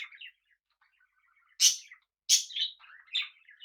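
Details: Pet budgerigars sharing a home with cockatiels; faint chatter, then a pause followed by strong, harsh chirps and short warbled notes.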